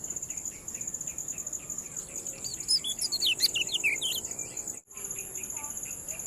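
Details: Ciak phrase of a kecial kuning (Yellow-bellied prinia), made as a tutor recording for captive birds: a rapid burst of high, twisting chirps in the middle of the clip, set against steady ticking and a high insect whine.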